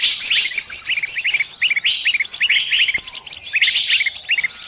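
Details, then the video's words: Trapped bird crying out to its companions for help: bright, quick, repeated chirps in short bursts, layered over a constant high twittering chorus, with a short lull near the middle. "Suara burung kejepit & mintatolong ke teman teman nya"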